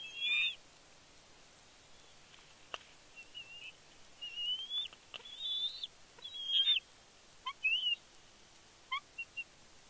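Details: Excited fledgling bald eagle at a Big Bear nest, 31 May 2022, greeting the father bringing a fish: scattered high whistled squees, some short and some longer, over a soft outdoor hiss.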